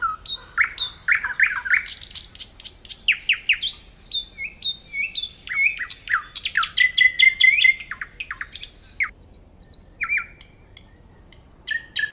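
A rich, varied songbird outpouring of rapid chirps, buzzy trills and clear whistles, with a drawn-out pure note midway, phrases changing every second or two.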